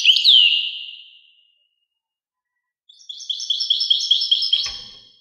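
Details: European goldfinch: a falling slurred note fades away, then after a pause a rhythmic run of repeated tinkling, buzzy notes, with a soft thump near the end.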